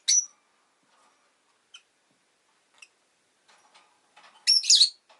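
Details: Pet rosy-faced lovebird with one high chirp at the start, a few faint ticks, then a loud raspy burst of rapid, shrieking chirps; soft background noise from the street.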